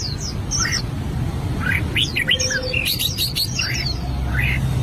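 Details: An albino red-whiskered bulbul working on its song, a few high chirps at first, then a cluster of quick whistled slurs and clipped notes after a pause, with low hum throughout.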